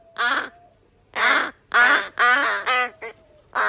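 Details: At feeding time, three rescued crow chick siblings that had been abandoned in a garbage bag beg for food in July 2022. Harsh, nasal caws of about a quarter to half a second come roughly twice a second, uneven and sometimes overlapping.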